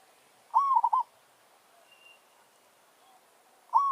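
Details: Decoy zebra dove from a village sings a territorial challenge to a wild bird. One full phrase of gliding then stuttered coos, a faint distant chirp, and the start of a second phrase at the end.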